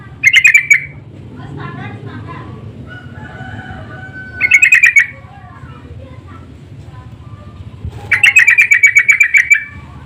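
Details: Sooty-headed bulbuls calling back and forth, an insistent lure call: three bursts of rapid, harsh chattering notes, each about a second long and spaced roughly four seconds apart, with faint softer whistles from other birds in between.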